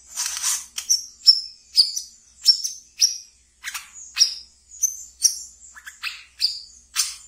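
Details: Brown-throated sunbird kept as a pet, its ngeriwik song serving as a lure and therapy for new birds: a noisy buzzy opening, then steady bright high chips with brief downward slurs, about every half second.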